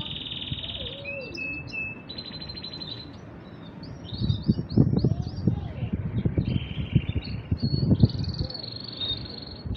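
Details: Pair of male canaries singing alternately without stopping: a series of level rolling trills and quick chirped phrases shifting between pitches, with faint low knocking sounds and background hum.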